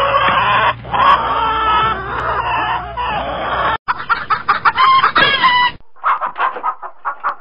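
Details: Chicken clucking: a noisy, cluttered opening of overlapping calls, then a choppy run of short notes, and finally a clear series of brief clucks repeated in quick succession.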